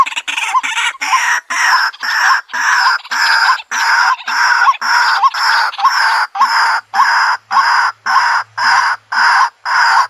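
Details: White-breasted waterhen, known locally as tikling or kalapini, giving loud harsh croaking notes in a steady series, about two each second, each note broad and grating with a short upward squeak inside.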